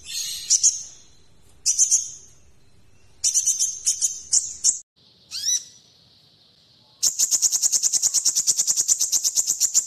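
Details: Kolibri ninja singing in a tutor recording for training magpie-robins: scattered shrill chips and a rising slurred note, then a long fast rattling trill of sharp high ticks.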